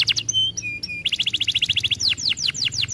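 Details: Singing canary used to teach and stimulate other canaries: a few pure whistled tones, a rapid chattering trill, then several bold falling whistles.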